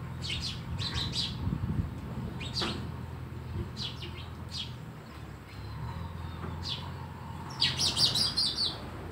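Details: Sparrows at a house give scattered quick high chirps, then a dense excited burst of chatter at the end, over a low hum.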